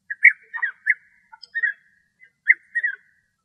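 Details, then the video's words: European bee-eaters, a male singing, in Greece, giving short, liquid, rolling 'prruip' notes around mid pitch, about seven in three seconds, in an uneven run with brief gaps. "Μελισσοφάγος Μελισσοφάγοι Φωνές Κελάηδημα - European Bee-eater Song & Calls"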